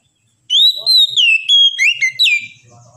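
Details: Oriental magpie-robin singing one sustained whistled phrase, a long rising then gently falling note followed by quick chirpy slurs and a drooping final whistle, against a quiet background.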